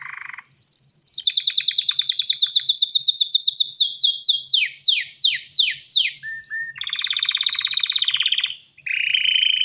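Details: Male canary ready to mate, singing to call a female and stir her to breed and build a nest: rapid trills, then a run of steeply falling notes about twice a second, a brief pause, and a long buzzy trill.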